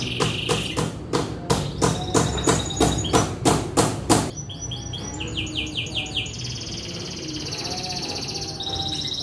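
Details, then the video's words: Canary, a young bird singing freely and in full voice, heard over about four seconds of loud regular knocking, then a rapid high trilled song with rattling and buzzy rolling phrases. "SUARA KENARI LEPAS PAUD ANGKATAN GACOR"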